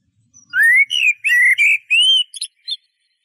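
A Eurasian blackbird sings a short phrase of rich, fluty rising whistles over about two seconds, ending in a few thin, high twittered notes.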